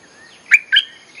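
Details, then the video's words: Bulbul song, a recording used as a lure to call wild birds: a faint thin upslurred note, then two loud, short, bright chirps half a second and a little later, each with a sliding whistled tail. "เสียงนกดอกแตงEp.183.ฟังกันยาวๆ เพลงหัดลูกเสอ ใช้เรียกนกป่า Suara pikat merbah lekir gacor"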